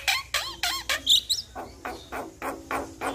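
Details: Javan myna tutor song, played to prompt a silent myna to sing: a series of rough, raspy chattering notes about every third of a second, with a few thin whistled notes in between.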